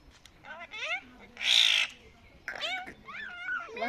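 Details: A pet common myna talks in speech-like voiced syllables that rise and fall, prompted by people speaking Bengali. A harsh hissing burst comes midway, then more chattering, word-like phrases.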